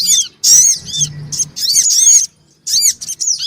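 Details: Black-winged cuckooshrike calls of female and male, used as a lure to attract small wild birds; loud, very high, chattering bursts with rising and falling arched notes, in clusters separated by brief pauses.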